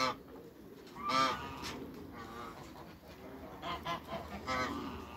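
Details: Backyard pair of giant African geese: a single loud nasal honk early on, then a string of shorter, softer honks toward the end over faint background noise.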